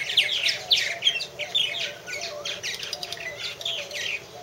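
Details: Purple martins at a martin house chatter in rich, gurgling bursts of rising and falling notes, several birds overlapping in a busy, continuous colony chorus.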